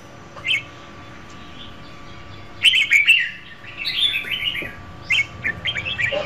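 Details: Female red-whiskered bulbul singing to stimulate a male, with a lone chirp, then a louder run of quick warbled notes and a few shorter chirping phrases toward the end.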